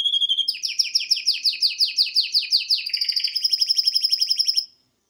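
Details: Male pet canary singing at home: a fast series of descending chirped notes, about three per second, that merges into a rapid, even trill and steadies into a high roll before stopping abruptly.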